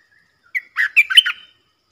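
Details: Wild southern bulbul answering a caged lure bird with a loud voice: one brief burst of rich, warbling, gurgling notes after a single soft introductory note, then silence.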